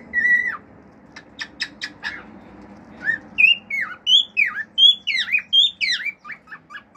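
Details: Male pet cockatiel singing natural song with mimicry: a flat whistled note, then a burst of sharp clicks, then a run of loud rising-and-falling whistled phrases ending in short chirps.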